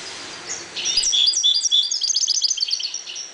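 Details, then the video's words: Calm caged goldfinches breeding in a 1.20 cage pour out dense, rapid, tinkling twitters and buzzy trills, loud and continuous, with no other sounds. "jilgueros criando"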